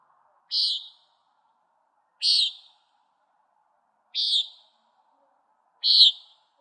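A Common Nighthawk gives four short, nasal, buzzy peent notes, one about every two seconds, against a quiet background.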